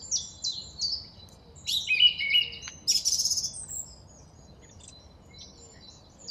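A song thrush sings loud, clear phrases of high whistles and fast rattling notes, each short phrase repeated two or three times before moving on.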